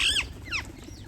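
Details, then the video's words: A parrot gives three quick harmonic chirps, the first loud and arched, the next two rising then falling and fading, over a faint background hum. "parrots Chirping sound"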